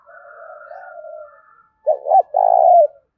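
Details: Faint drawn-out cooing gives way to a spotted dove's strong "đồng thổ" song phrase: two short rolling coos and a longer vibrating note, a sharp voice meant to goad wild doves to fight.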